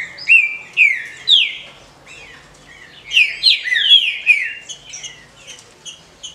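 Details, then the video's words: Squeaky, downslurred chirps from a female green-winged saltator, calls used to excite males, in two clustered bursts with softer notes trailing off. "CHIADOS DE FÊMEA ESQUENTE SEU TRINCA FERRO"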